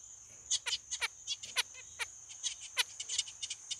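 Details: Zebra finch calling busily: a dense run of short, nasal, harmonic beeping notes, several per second, some swooping downward, over a steady high-pitched hiss.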